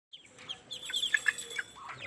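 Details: Mother duck with ducklings swimming in a tub, soft high peeping notes, a few short clear chirps scattered over two seconds against a faint background hiss.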